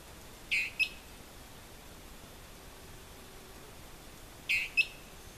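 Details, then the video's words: Dwarf tyrant-manakin near Mitú, Vaupés, Colombia, giving a short, high two-part phrase, a buzzy note and then a sharp clipped one, repeated about every four seconds over a quiet background hiss. "Dwarf Tyrant-manakin - Tyranneutes stolzmanni"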